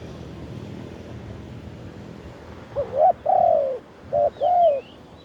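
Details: Live recording of a wild spotted dove's khan yon ha cooing. After a pause of low background noise, a hooked coo, a long falling coo, a short coo and a final longer coo follow in quick succession. A faint high twitter comes near the end.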